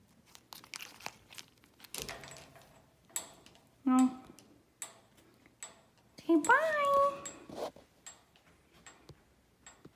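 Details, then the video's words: A pet Eclectus parrot playing with baby toys gives a few short, nasal, voice-like calls, some rising then falling, amid crinkling and tapping of toys in a small room. "Eclectus playing and making noises"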